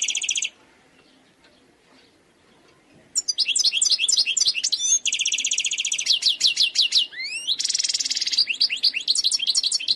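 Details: Song of a wild European goldfinch, known in North Africa as khalwi: a short trill, a pause, then a long continuous flow of fast twittering notes, buzzy trills and sweeping slurred whistles.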